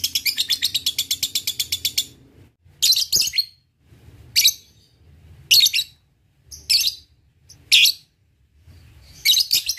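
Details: Lovebird used as a lure for rivals: two seconds of fast, high rattling ngekek chatter, then a series of loud, harsh shrill calls about a second apart.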